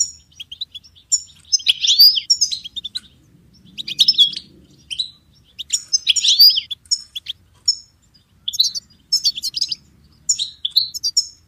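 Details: Goldfinch delivering a varied song of quick chirps, slurred whistles and liquid twitters in short bursts, with a faint low hum in the background.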